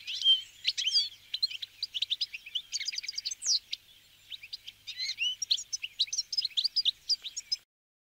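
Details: Brambling, wintering flock of northern visitors eating sunflower seeds. Rapid, jumbled twittering of many high chirps for about seven seconds, easing in the middle and then swelling again before stopping abruptly.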